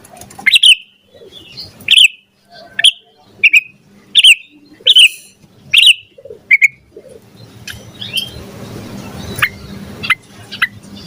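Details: Yellow-vented bulbul used as a lure to spur caged birds to sing, giving loud, bright, slurred chirps repeated roughly every 0.7 seconds, then fainter calls over a hissing background.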